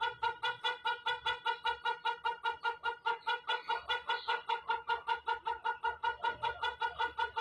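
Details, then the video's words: White rooster's very long crow continuing as a rapid, highly regular throbbing of harmonic pulses, roughly five per second, steady in pitch throughout, with laughter heard after. "Amazing White Rooster || Ayam Berkokok Sangat Panjang"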